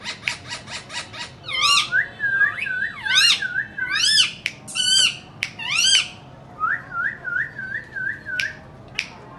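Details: Indian ringneck parakeets making sounds: a quick run of clicks, then loud wavering whistled and squawking calls with bending pitch, repeated about once a second, ending in a series of short rippling chirps.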